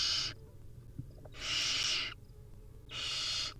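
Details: Hungry wild barn owl nestlings at feeding time, three strong, harsh, hissing snores about a second apart, with a faint click between them.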